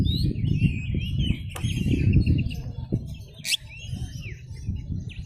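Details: Singing oriental magpie-robin, its song played to provoke rival birds into replying: thin wavering whistles and quick chirps sit above a loud, continuous low rumble, with a brief flutter partway through.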